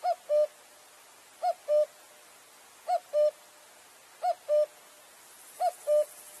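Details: Cuckoo singing its two-note call, a higher note dropping to a slightly lower, longer one, the pair repeated about every 1.4 seconds, five times, over a quiet background.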